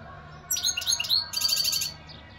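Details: A short European goldfinch phrase of quick, sliding, liquid notes that runs into a buzzy, jingling trill, then fades with a soft final chirp.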